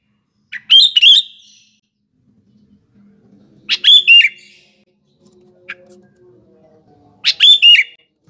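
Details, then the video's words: Sooty-headed bulbul, a lively singer used as a lure for morning, afternoon and night, repeating a short bubbly phrase of chirpy notes about every three seconds, with faint low hum between phrases. "BURUNG KUTILANG GACOR || Coba untuk PANCINGAN PAGI, SORE & MALAM HARi"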